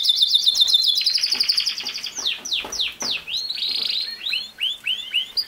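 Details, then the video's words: Training song of a canary for a young male bird: a quick high trill, several deep downward sweeps, then a rolling tour and short rising chirps. "How to make a CANARY Sing fast | The BEST video for CANARY SINGING"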